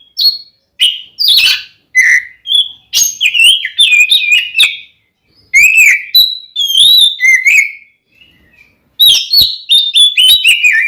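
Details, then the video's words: Oriental magpie-robin fighting song, 'ngeplong' style, intended to provoke males into anger: a long string of short whistled and clicking phrases, often repeated twice, with one quiet pause before a final rapid whistled flourish. "SUARA BURUNG kacer gacor NGEPLONG tarung ini AMPUH buat PANCINGAN KACER agar EMOSI"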